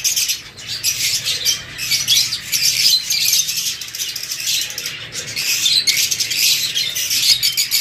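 Lovebirds chatter nonstop in shrill, high, overlapping chirps and squeaks, with several birds calling at once and no pauses.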